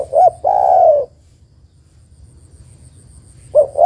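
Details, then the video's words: Female spotted dove summoning the male with a short hoarse note and a long soft falling coo. A long quiet pause follows, then the next phrase begins with another brief note. "TEKUKUR BETINA MEMANGGIL JANTAN"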